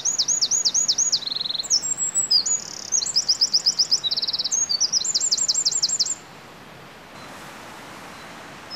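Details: Eurasian wren singing energetically at first light, ignoring an observer; shrill rapid trills and buzzy note series pour out for about six seconds before the song stops, leaving quiet background.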